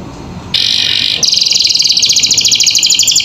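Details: Canary song from a captive bird, tutor audio for young canaries in vigorous gacor filler style: after a quiet start, a loud buzzy burst gives way to a rapid, bright metallic trill.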